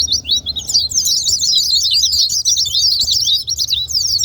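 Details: White-eye song meant to stir reluctant white-eyes into singing: a fast, dense stream of high twittering notes, sharp slurred chirps tumbling over one another without a break, slightly softer at the start.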